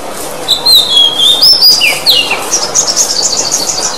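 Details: Oriental magpie-robin singing to encourage a bird that stopped singing; a clear sliding whistle phrase followed by a rapid high twittering trill.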